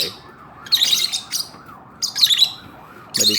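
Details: Philippine hanging parrots, a caged pair from Quiapo, Manila, uttering bursts of high, shrill, scratchy squeaks in four separate clusters, each lasting a fraction of a second, over a low background hum.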